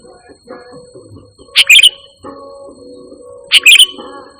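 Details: Sooty-headed bulbul recorded as a lure and tutor call for training pet birds; two short, bright, bubbling phrases about two seconds apart, with soft low tonal hum and faint background sounds between them.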